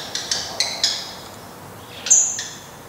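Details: Black redstart at the nest, 24 May 2020, while the last chick fledges: quick short high whistles with clicking notes, then a louder sharp whistle followed by a tick.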